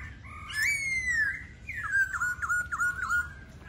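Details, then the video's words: Singing laughingthrush: a full, rising-then-falling whistle followed by a brief pause, then a series of level whistles broken by quick dipping inflections, repeated about four times. "Khướu Hót"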